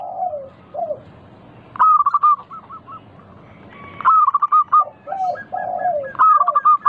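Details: Local zebra dove song used to lure other doves into calling. Three loud bursts of rapid stuttering coos come roughly two seconds apart, with lower slurred coos from other doves between them.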